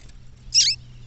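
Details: A female double-collared seedeater calling in the bush, a call meant to excite males, gives one brief, harsh, high chip lasting about a quarter second, over a faint low hum.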